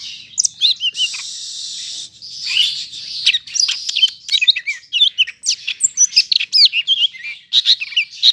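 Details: In Bandung on 5 September, a greater green leafbird of the Medan variety pours out a dense medley: a brief buzzy rasp, then hurried whistled loops and twitters.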